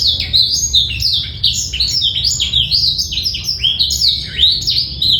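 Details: Male black-throated canary singing a clear song with no rattling trill, used as master recording to teach young birds and bring females into breeding condition; fast, varied high twittering of rising and falling chirps, continuous throughout.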